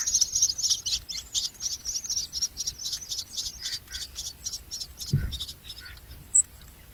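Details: Chicks of a common myna begging as a parent feeds them a lizard: fast, pulsing high buzzy calls repeated several times a second, fading out, with one low thump partway through.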